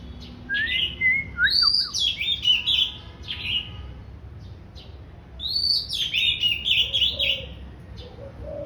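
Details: Oriental magpie-robin just coming into breeding condition, singing pleasantly in two bursts: sweet descending whistles and high chattering phrases, a pause, then another fast twittering run, with faint low cooing late on.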